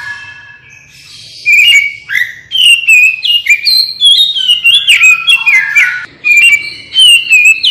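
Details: Oriental magpie-robin singing as a lure to make other birds respond quickly: a rich, continuous run of loud whistled phrases, sweeping slurs and short rapid notes, varied and fluty, filling most of the recording after a quiet start.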